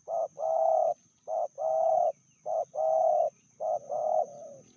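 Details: Spotted dove from Indonesia, a pair where the female is described as fiercer than the male, medium-voiced. Four repeated coo phrases, each a short note followed by a longer level purring coo, steady and rhythmic with quiet gaps.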